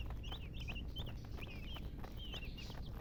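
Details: A few baby chicks peep in short clusters of two or three high falling notes, separated by pauses, with low rumbling noise underneath.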